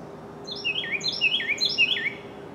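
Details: Carolina wren recorded in densely forested country near Pigeon Forge, Tennessee; the male calls to claim his territory. Four quick, loud, ringing, slurred phrases are repeated in a rapid rolling series against a constant low hum.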